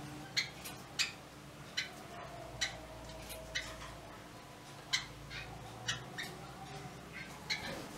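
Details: Yellow-bellied wattle-eye giving short, sharp, clicky notes spaced irregularly about every half second to second, each with a bright upper tone, over a steady low hum.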